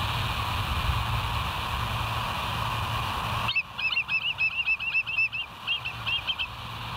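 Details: Bald eagle on the West End live nest camera, recorded 07/09/2023 at 06:24: after three seconds of steady hum and broadband noise, a quick run of high, thin, chittering notes repeats several times a second, somewhat faint.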